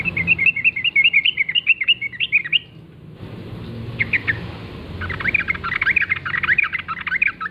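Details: Wild sooty-headed bulbul singing in the morning forest style: a rapid run of bubbly chattering notes, a short break with a few calls, then another long, dense warbling chatter; faint low rumble behind.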